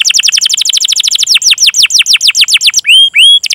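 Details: Rolling canary song meant to stimulate beginner or mute canaries to sing: a quick chatter of falling chirps slowing into spaced downslurs, then two long rising whistles and a brief fast burst.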